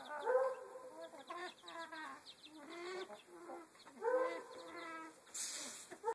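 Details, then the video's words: Chicken uttering strange noises, drawn-out rising-falling harmonic calls alternating with choppy clucks in bursts, ending with a brief hissing rustle. "Strange chicken noises"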